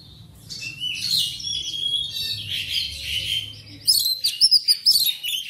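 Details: Black magpie-robin singing, played to stimulate other pet birds kept at home to sing: a rich, dense run of high whistles, buzzy chatter and trills, ending in sharp, clipped repeated notes with a low background hum.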